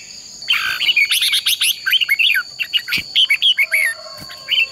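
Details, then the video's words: Red-whiskered bulbul, played to train and excite other bulbuls into competitive singing, sings rapid, bright chattering phrases of liquid whistles and buzzy notes over a steady high insect hum. "Chào Mào Hót"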